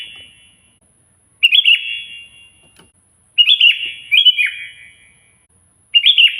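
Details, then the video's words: Loud Sooty-headed bulbul song meant to call a rival: gurgling, rapid whistled phrases in three bursts, the middle one doubled, with reverberant tails and quiet gaps between. "suara burung kutilang gacor keras, paling ampuh memanggil lawan auto emosi"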